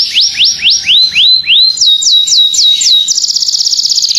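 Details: Canary (Serinus canaria domestica) singing gacor-style tutor song for other birds: evenly spaced upward-curving whistles about four per second, then higher clipped slurs, closing in a very fast high rattling trill.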